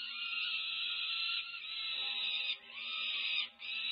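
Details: Begging peregrine falcon chicks, over five weeks old, during a feeding at a UC Berkeley nest, 18 May 2023: a continuous harsh, nasal screaming wail, barely pausing, with slight shifts in tone.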